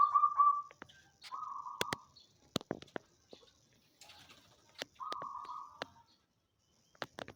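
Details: Caged zebra dove of the banyumili type giving three short trilled coo bursts spaced apart, interspersed with frequent sharp clicking and tapping noises.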